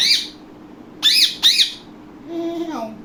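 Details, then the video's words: Pet Indian ringneck parakeet indoors uttering harsh, high squawks: one note, then two quick ones, followed by a lower, softer sliding sound and a faint room hum. "Ringneck Talking parrot"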